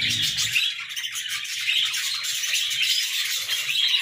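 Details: Joyful budgerigars chattering in the morning, an unbroken stream of high, fast twitters and scratchy notes from several birds.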